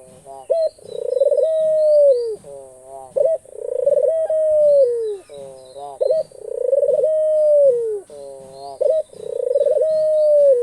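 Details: Pet Australian dove calling over and over, about every two and a half seconds. Each call is a brief opening note, then a stuttering pulsed roll that runs into a drawn-out, gently descending coo, with soft bubbling notes between calls.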